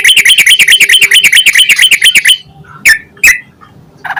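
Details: Yellow-vented bulbul song, used as a lure to get other bulbuls singing quickly: a fast run of bright chirping notes repeated about twice a second, then stops, followed by a few scattered sharp calls.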